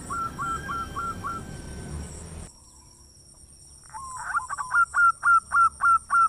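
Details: A zebra dove of local stock with a big voice, its song used to prompt other doves to sing. A quick series of five hooked coos, a pause, then a louder burst of rapid, evenly spaced staccato notes.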